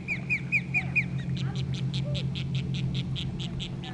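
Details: Osprey at its nest in South Florida as kayakers approach: five quick, upslurred piercing whistles, then a faster series of softer clipped notes, all over a constant low droning hum.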